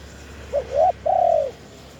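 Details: Wild spotted dove in Thailand, 'khan yon' crowing. A tiny lead-in note, a rising then clipped coo, and a long, smooth, slowly falling coo, with a faint steady hum behind.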